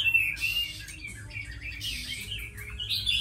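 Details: Chinese hwamei, tamed and said to sing well, giving softer broken whistled fragments and short slurred phrases, ending in a louder burst, over a steady low hum.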